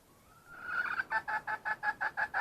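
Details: Red junglefowl hen, wild, opens with a drawn-out, slightly rising nasal note that breaks into evenly spaced, rapid clucks, about three each second.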